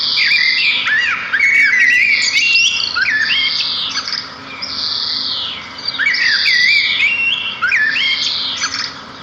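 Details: Sparrows singing in beautiful natural scenery: repeated bouts of rich warbling with jumping whistled notes and harsh buzzy trills, roughly every four seconds, from more than one bird.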